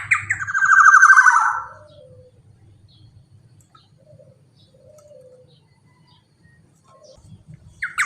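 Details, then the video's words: Black-naped oriole recorded for luring other orioles: one strong grating, nasal call falling in pitch, then quiet stretches with soft low coos from another bird and a faint hum. "KEPODANG KICAUAN GACOR"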